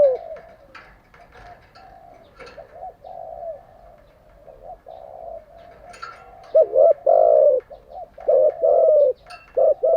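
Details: Spotted dove kept as a decoy for daily training of captive doves: soft low cooing through the first half, then loud hoarse coo notes in quick groups near the end, light chirping faintly behind.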